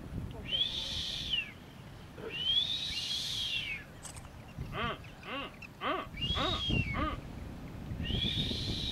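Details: Blue-footed booby on North Seymour Island, Galapagos, in April; long, high, arched whistles repeat every two seconds or so, mixed with short rapid honking pulses, over wind noise.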